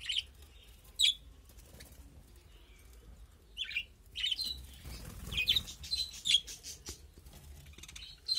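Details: Birds kept in a small colony chirping, with scattered high, thin chirps and twitters growing busier toward the end, plus soft rustling and wing flapping.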